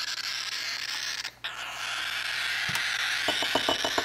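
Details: Steady broadband hiss indoors with a brief dropout, then a few soft knocks and a quick run of faint taps near the end; no animal voice.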